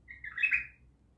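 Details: A single rich, slurred bulbul phrase recorded at Naft Khaneh, swelling and then fading within about a second over a quiet, low hum.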